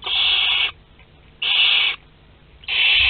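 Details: Western barn owl nest box at Théding, 22 August 2021, while eggs of the second brood hatch. Three steady, breathy screeching hisses, each about two-thirds of a second, spaced about a second apart.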